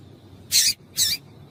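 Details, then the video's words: Female double-collared seedeater call used to stir up a male into singing: two loud, harsh, high-pitched chips about half a second apart, with faint low hum behind. "Piado de Fêmea de Coleiro para Esquentar Coleiro"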